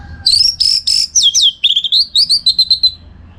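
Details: Orange-headed thrush (anis merah) from Bali, recorded for song-contest training: a continuous run of rich whistled phrases sliding downward, followed by quick evenly spaced chirping notes, loud and clean against a quiet background.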